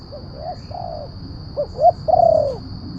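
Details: Lure call of a spotted dove for wild and captive birds: soft short coos, then a stronger phrase of two rising notes and a long, loud descending coo, over low rumble and a steady high whine.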